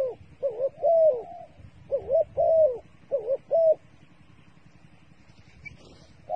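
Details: Decoy dove cooing in quick paired phrases, each pair a wavering note then a steadier one, repeated three times, followed by quiet with a faint rustle.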